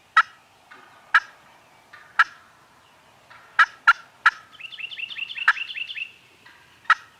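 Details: Several farm turkeys gobbling, recorded with a Canon G7X: loud, separate rattling bursts spaced about a second apart, with a quick string of rising, yelping notes running through the middle.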